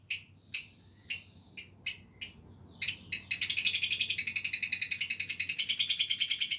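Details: Black-cheeked lovebirds, an old breeding pair in an aviary, nesting all year but not breeding for three years: loud shrill harsh notes repeated about twice a second, breaking into a fast continuous grating chatter.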